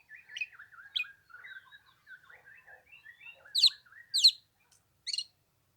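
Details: Oriental magpie-robin in 15-degree cold on the third day of Tet: a long low, wavering warble of soft slurred notes, broken by three loud, sharp, high descending calls near the end.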